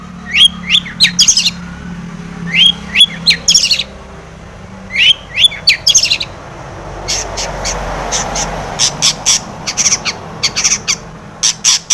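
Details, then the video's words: Long-tailed shrike singing a full mimicry song meant to goad other shrikes into song: repeated groups of three rising whistled notes every two seconds, followed by a run of short sharp ticking chirps. "SUARA cendet gacor ATATCLETAT pancingan cendet agar bunyi emosi"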